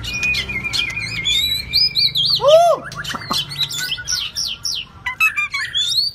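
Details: Shrimp-tailed White-rumped shama performing 'rít thuốc lào' song, a rich mix of long level whistles, rapid twittering, and deep downslurred loops, with a faint low hum underneath.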